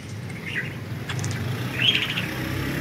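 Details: Pet budgerigars flying free, giving two brief warbling chirps about a second apart over a steady low rumble like distant traffic.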